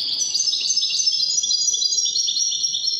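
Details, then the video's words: Continuous European goldfinch song, called Widani goldfinch: a fast, unbroken stream of high, sparkling twitters and trills, loud and close throughout. "تغريد طائر الحسون الويداني"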